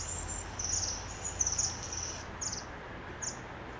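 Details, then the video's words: Fire-tailed myzornis calling at Lepcha Jagat, West Bengal: very high, thin trilled notes, first a run of about two seconds, then two brief separate bursts, over a soft background hiss. "Fire Tailed Myzornis Calling"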